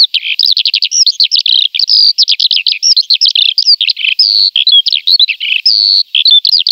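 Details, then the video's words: Song of the Eurasian skylark: fast, high trills and buzzy chirps alternating with clear sustained whistles, delivered almost nonstop with only tiny breaks, against a quiet, clean background. "Il canto dell' Allodola"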